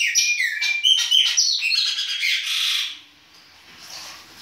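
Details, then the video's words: Baianinho-style winter song of a Chopi blackbird: a dense burst of rapid whistles and buzzy, squawky notes, about four per second, fading into quiet after three seconds. "PÁSSARO PRETO BAIANINHO E SUAS CANTORIA DE INVERNO !"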